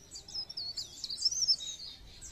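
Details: Pare pare bird song used as a lure to stimulate other birds to sing: thin, high, twittering warbles and quick chirps run together over roughly two seconds, rising and falling rapidly, with faint background noise.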